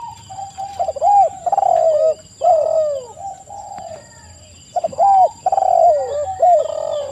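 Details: Rolling coos of spotted doves, repeated about once a second in overlapping phrases with downward-arched notes, faint thin whistles above and a steady high hum.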